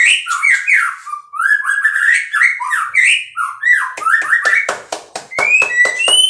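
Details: Energetic song of a captive-bred white-rumped shama: continuous sliding, swooping whistles in quick phrases, ending with rapid clicks and high, thin piping notes.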